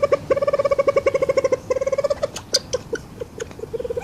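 Reeves's pheasant gives a fast, even run of mid-pitched clucking notes, about ten a second, then slower, uneven clucks with a few sharp clicks.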